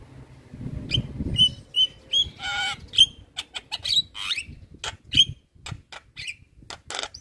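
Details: Javan myna (jalak kebo) giving a masteran training song: short clear whistles repeated roughly every half second, then a buzzy rattling phrase and scattered sharp clicks and chips, with faint low rumble early on.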